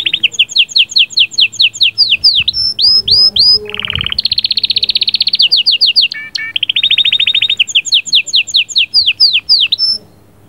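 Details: Caged canary song meant to stimulate the female: fast trills of repeated notes, sweeping down-slurred whistles and a low buzzy rattle, then long rapid rolls, all loud and continuous.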